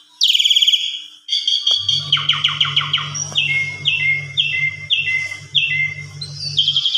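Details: An Asian pied starling's lure song, played to stir other pied starlings into full, varied singing: a loud whistled opening, then rapid chattering and a string of repeated falling whistles about every half second over a low hum.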